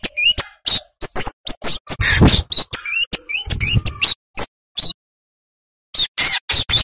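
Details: Cabe-cabean or kemade flowerpecker delivering an energetic full song: clipped high chips mixed with curving whistled notes, interrupted by two short rasping noisy bursts, then a gap of about a second before quick chips resume.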